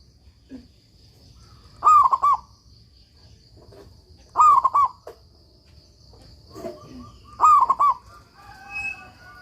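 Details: Zebra dove of local stock, singing strongly for use as master song for stalled doves, repeats its gentle rolling coo phrase three times about every two and a half seconds, with faint softer bird notes in between and at the end.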